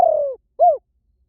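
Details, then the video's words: Spotted dove call used for luring wild doves: the end of a long falling, slightly quavering coo, then a single short rising-and-falling coo, with quiet background. "เสียงนกเขาใหญ่ หมานๆ ต่อเข้าเร็ว ป่าไหนก็เข้า"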